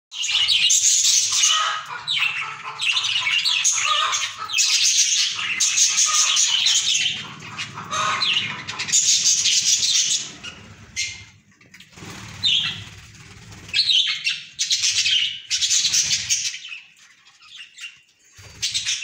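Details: Several budgerigars chatter while eating green soft food, giving dense, scratchy high chirps and warbles, with several birds calling at once.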